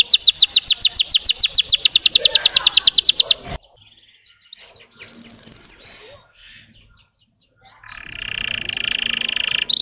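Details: Russian canary singing to provoke other canaries: a rapid trill of sweeping notes, a pause with faint sounds, a short high burst, then a buzzy rattling roll.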